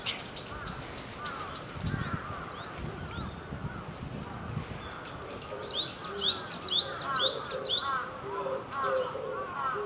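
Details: Wild Java sparrow giving rapid, bright, high chirped notes in clusters, while lower slurred calls and soft low hooting notes from other birds run underneath, with some low rumbling noise.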